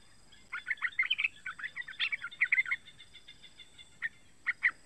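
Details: Young yellow-vented bulbul giving lure calls to prompt other bulbuls to sing: two bursts of quick bright chatter followed by a few spaced single notes.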